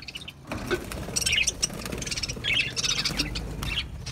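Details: Singing budgerigars, Australian parrots, heard as a dense, continuous busy twittering of overlapping squeaky notes and warbles for the full four seconds, with some low background noise underneath.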